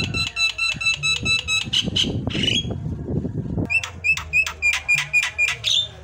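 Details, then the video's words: A Javan myna sings a varied song of rapid runs of clear, ringing whistled notes, about four a second, broken by a harsher burst; a low indoor rumble sits beneath. "kicauan paling merdu dan variasi, jalak kebo"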